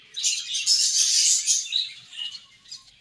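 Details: Budgerigar colony at food, chirping in a sudden loud burst of shrill, rapid warbles and squeaky notes that fades into scattered softer chirps.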